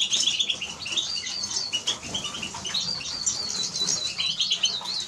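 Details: Eurasian siskin song delivered as a continuous, fast high twitter, with a run of rapid, evenly spaced chirps in the second half and light rustling noises behind.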